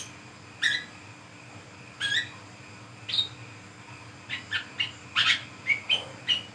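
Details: Brown-throated sunbird singing ngriwik ngeplong at night, used to lure birds: a few well-spaced high chirps, then a quicker cluster of short, bright notes tumbling near the end, with a low constant hum behind.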